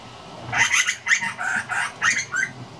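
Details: A juvenile grey butcherbird practising its song gives five or six scratchy, squawky notes in under three seconds, rough and uneven rather than fluted, over a faint background hiss.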